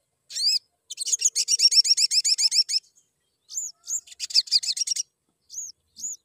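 Crimson sunbird giving thin, very high chirps, first in a fast run of about a dozen sharp notes, then scattered single and paired chirps.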